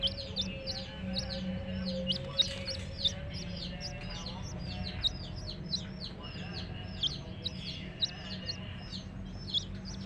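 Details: A crowd of baby hen chicks chirping nonstop: bright, high peeps falling sharply in pitch, densely packed and overlapping, over a steady low hum and faint murmur.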